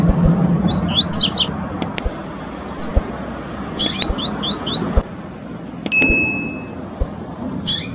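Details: Double-collared seedeaters (Sporophila caerulescens) sing in the wild, bright quick runs of high slurred notes in short bursts, over low background rumble, a steady thin whistle and occasional sharp knocks; finding: Double-collared seedeater.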